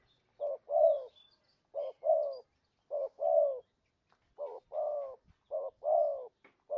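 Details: Spotted dove cooing as a lure for trapping: five pairs of a brief coo and a longer, slightly descending coo, separated by short silences.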